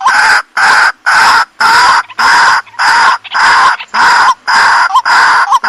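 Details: Waterhen, known locally as jal murgi, in a recording used for bird trapping: loud, harsh, broadband bursts repeated about twice a second in a steady rhythm, each ending in a short upward-swept note.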